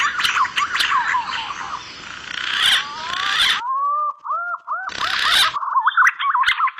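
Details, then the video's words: Green pigeons in an edited lure mix: a busy, noisy stretch with faint whistles gives way to a clean sequence of short, upward-curving whistled notes repeated rapidly, and then more noise. "Suara pikat burung punai"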